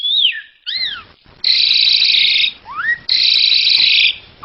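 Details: Asian pied starling song for masteran: arching and rising whistled slurs broken by two loud, harsh, buzzy bursts, each lasting about a second.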